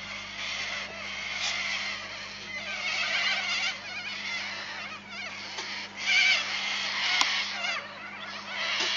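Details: A flock of corellas at Arckaringa Homestead in the Painted Desert, South Australia, screeches continuously, many birds at once, with harsh, grating, overlapping calls rising and falling in waves without pause.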